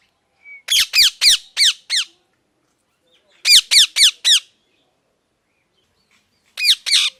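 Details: Loud parrot calling in three bursts of harsh, downward-sweeping squawks, five, then four, then three in quick succession, with silent gaps between.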